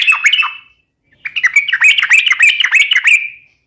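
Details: Sooty-headed bulbul in full song, meant to lure and tutor other birds: a short chattering phrase, a pause, then a longer rollicking sequence of quick bubbly whistles.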